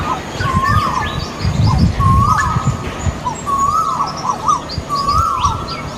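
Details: Two male Asian koels sing on a tree in a garden in India, also fighting, repeating a clear rising 'ko-el' whistle about every one and a half seconds, four times, over low rumble and faint chirps of other birds.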